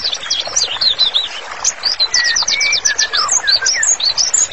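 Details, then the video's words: Actively singing white-rumped shama, a master song for therapy: rapid series of bright up-slurred and down-slurred whistles, about three notes a second, mixed with twittering and a sustained level whistle midway. "MURAI BATU GACOR, MASTERANNYA COCOK BANGET UNTUK TERAPI"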